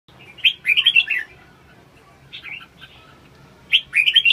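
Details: Red-whiskered bulbul singing: a loud, bubbly, warbled phrase of quick rising and falling notes, a softer short burst in the middle, then another lively warbled phrase at the end, against a quiet background.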